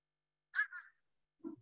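A Fish Crow gives a short, nasal two-note call, a quick 'uh-uh' quite unlike a caw. A man's voice briefly follows.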